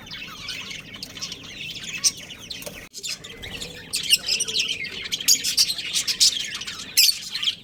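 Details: Budgerigar breeding pair chirping: softer muffled chatter at first, then after a brief gap louder high warbling and sharp squeaky chirps.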